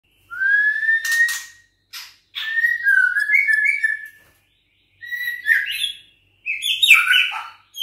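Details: Six-week-old juvenile white-rumped shama of Bahorok lineage, kept caged and singing back when challenged by a rival: a long rising whistle, then bursts of varied whistled and chattering phrases separated by short pauses.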